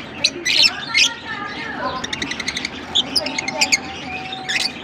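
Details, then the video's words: Lovebirds from Larkana giving sharp, shrill chirps and squeaks in quick irregular bursts, some high notes buzzy, between quieter chatter, with faint steady lower tones running underneath. "Lovebirds sing Sweet Serenades"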